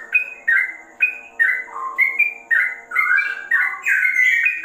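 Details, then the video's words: Trucukan, the sooty-headed bulbul, in rapid ropel song that recalls a straw-headed bulbul: short liquid whistles repeated about twice a second, dipping lower midway, then a fuller warbled ending over a low background drone. "BURUNG TROCOK TRUCUKAN ROPELL RASA CUCAK RAWA"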